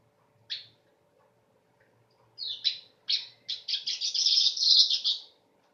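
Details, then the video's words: Weaver song, sharp to the ear and close to a canary's: a lone chirp, a pause, then accelerating harsh notes that merge into a loud, fizzing, buzzy trill before stopping abruptly. "Kicau Burung Manyar"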